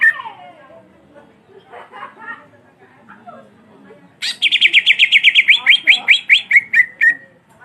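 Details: Greater green leafbird with a black beak delivering its provoking, rolling song: faint scattered sounds first, then a sudden loud three-second string of rapid, even, high chirps ending in lower notes.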